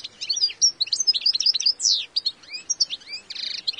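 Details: Wild European goldfinch singing its own individual song: a rapid, continuous jumble of high twittering notes, short sweeping slurs and a buzzy nasal trill near the end, delivered without pause in a quiet setting.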